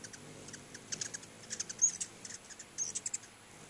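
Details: Many hummingbirds gathered at two feeders outside a house, heard as a steady patter of thin, high chips and ticks coming in loose clusters throughout, with a soft background hiss.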